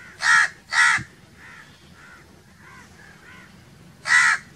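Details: Crow calling in natural surroundings: two loud harsh caws, a pause filled with softer distant caws from other crows, then another loud harsh caw near the end.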